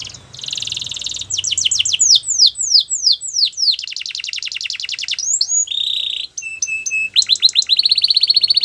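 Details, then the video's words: Canary training song: sweeping whistled slurs give way to fast buzzy rolls, a low rattling trill and clipped piping notes, ending in a bright sustained roll; a faint low hum sits underneath. "Best canary sounds!! Suitable for canary training"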